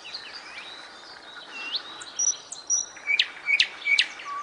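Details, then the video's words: Nightingale song: soft rising and falling whistles, then sharp, loud notes that come in quick clusters toward the end. "Песня Соловья"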